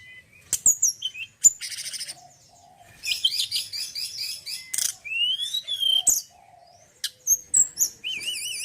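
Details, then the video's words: Male mountain forktail (tledekan gunung) giving a long, varied, high-pitched song: sharp clicks, buzzy rattles, long rising whistles and, at the end, wavering warbled notes, with brief pauses between phrases. "TLEDEKAN GUNUNG JANTAN YANG BAGUS KICAUANNYA"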